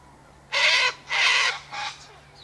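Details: Feeding sulphur-crested cockatoo by an eastern gate, with sunflower seeds, wheat and birdseed put out for it, lets out three raucous, harsh screeches, the last one shorter.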